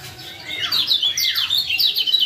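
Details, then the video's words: Male lemon-bellied white-eye from Lombok, calls used to prompt a silent caged bird into singing; a rising slurred note followed by quick high buzzy chirps and twittering, loud and dense. "Masteran Ampuh Ciak Jos Kecial Kuning"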